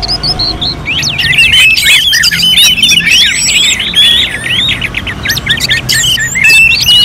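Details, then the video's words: Orange-headed thrush singing contest-style as a practice recording for cage birds: a quiet start, then a fast, unbroken stream of high whistles and rising-falling slurs. Near the end it becomes a rhythmic series of repeated loops. "KICAUAN ANIS MERAH"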